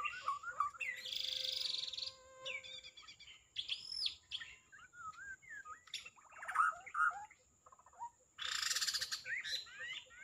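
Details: White-rumped shama song of rich whistles, harsh buzzy bursts and rapid chattering notes in separate phrases, some loud, with short silences between and a thin constant high hum behind.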